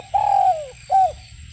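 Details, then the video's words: Spotted dove, locally derkuku: two soft, low coos, a longer sliding coo that falls at the end followed by a shorter one, over faint low background hum. "SUARA BURUNG DERKUKU BIKIN MERINDING"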